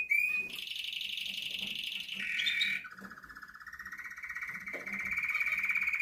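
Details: Male red canary singing. It gives a brief rising whistle, then long sustained rolling trills, each held for a second or more. The trills shift down to a lower, steady purring roll.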